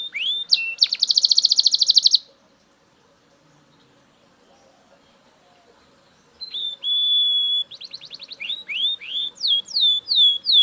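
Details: Loud Belgian canary song: a rapid buzzy trill, then several seconds of silence, before the bird resumes with a long steady whistle, a short rattle and sharp descending notes.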